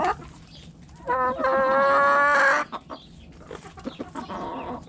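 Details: Backyard chickens in a coop: a rooster gives a long, loud, harmonic crow lasting over a second, with softer hen clucks and murmurs before and after.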